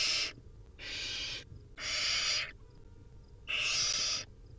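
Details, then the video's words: Feeding-time begging from wild barn owl nestlings: loud breathy hissing screeches, four in quick succession with short silences between. "Hungry Little Owls: Barn Owl Nestlings' Feeding Time"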